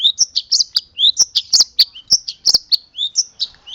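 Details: Mimicry-filled isian song of a local long-tailed shrike from Boja: quick sequence of loud, high chirps, rising and falling slurred whistles, and crisp click-like notes in a busy, uneven rhythm.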